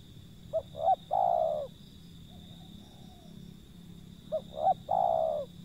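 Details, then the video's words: Wild zebra dove calling: two short soft notes followed by a longer rolling coo, the phrase repeated after about three seconds, with a faint softer coo between and a steady high whine behind. "panggilan burung liar si pehang"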